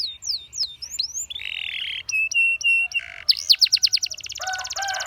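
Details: Canary training song: falling whistled notes, a buzzy flat roll, evenly spaced pure whistles, then a fast trill layered with lower chattering notes, faint low hum behind.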